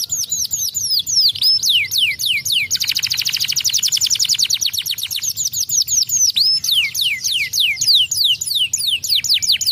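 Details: Canary singing loudly: fast series of high swooping downslurred whistles, then a rapid buzzy trill, then more repeated looping whistled notes.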